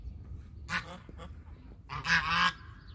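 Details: Domestic goose giving two loud, harsh, nasal honks, a short one followed by a longer drawn-out blare about a second later, over quiet low background rumble.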